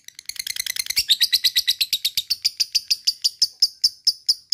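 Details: Lovebird ngekek for stirring other lovebirds to song: a hurried jumble of squeaky notes that settles into clear, evenly spaced sharp chips, gradually slowing over the last seconds.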